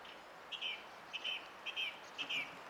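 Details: Song thrush recorded on 20 April 2016, singing four short phrases of repeated whistled notes around the upper-middle range, each phrase a brief doubled or tripled motif, separated by short pauses against a quiet background.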